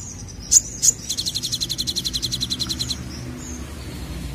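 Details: Olive-backed sunbird in 'nembak' song: two loud high squeaky notes, then a two-second run of fast, even, ringing pulses that fades away, with faint distant chirps and a low background rumble.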